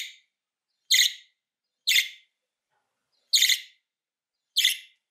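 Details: Budgerigar contact call, used to lure back an escaped bird: five short, harsh, buzzy chirps spaced about a second apart with silence between them.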